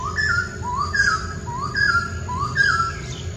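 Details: Wild White-crested Laughingthrush giving clear rising whistles, each note sliding upward and repeated about once a second, with faint higher overtones and a low background hum.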